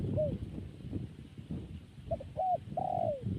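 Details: Zebra dove calling with a brief curved note, then a burst of short staccato coos ending in a long flat coo that slides downward, against a continuous low rumble.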